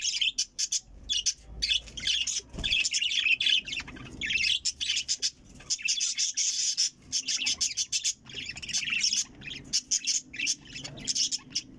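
Budgerigars warble continuously in rapid, high chirps and chattering squeaks.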